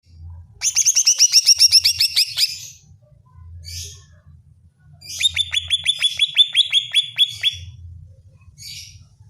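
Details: Greater green leafbird song used to provoke another bird into singing: two bursts of rapid, evenly repeated bright chirping notes, about two seconds each, with brief buzzy notes between; a low hum underneath.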